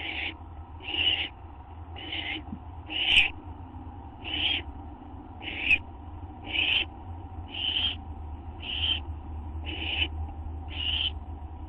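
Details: Owl receiving a food treat, gopher or vole, at night on 8 September 2011, live camera: a long run of short hissing screeches, about one per second for twelve seconds, over constant low hum.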